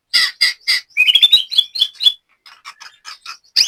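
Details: Caged white-rumped shama from Banyumas, Central Java, during latber practice. Three harsh chirps are followed by a quick run of rising whistled notes, then softer scattered chips.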